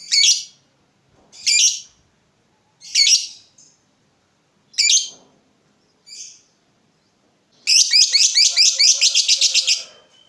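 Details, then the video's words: Lovebird ngekek meant to lure and train other lovebirds: four separate harsh, buzzy chirps over several seconds, then a burst of rapid rattling chatter lasting about two seconds. "suara burung Lovebird terbaik buat memancing burung Lovebird dan masteran"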